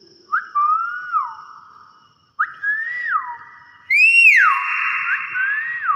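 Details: Hill myna whistling a series of clear notes, each sliding upward and then falling away, about three phrases over six seconds. The final phrase is louder and higher, with a sustained, ringing tone and bright overtones.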